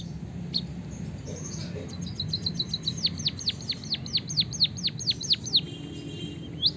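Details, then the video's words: Javanese white-headed munia in long canary-style rolling song, meant as tutor material so other birds learn and sing: quiet start, then a steady run of about a dozen sharp downward-swept whistles, with faint background hiss. "suara burung emprit peking bondol kaji gacor isian kenari ngeroll panjang untuk masteran"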